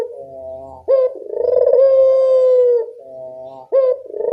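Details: Evening cooing of a Barbary dove, used to coax quiet doves: soft low note, abrupt rising attack, long resonant coo, another soft note and a new coo beginning.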